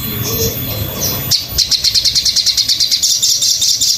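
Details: Crimson sunbird master song for training birds: after a brief burst of broad noise, a fast even series of high, sharp ticking chirps runs steadily, roughly two notes per second, thin and bright.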